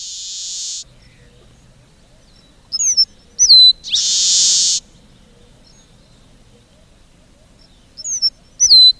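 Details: Red-breasted meadowlark repeating its song several times over nine seconds. Each phrase has brief high whistled notes and a bright downslurred whistle, followed by a long, dry, hissing buzz. Quiet pauses separate the phrases.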